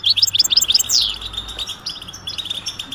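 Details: European goldfinch mating and readiness calls: a burst of quick bright chirps, one strong falling slur, then softer scattered twitters with a low steady hum in the background.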